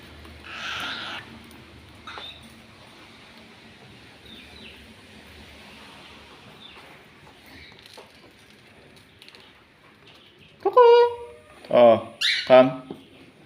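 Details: A pet cockatiel being called and trained with treats during a banding session gives a quick burst of loud, harsh, rising and falling squawks after quiet human voices.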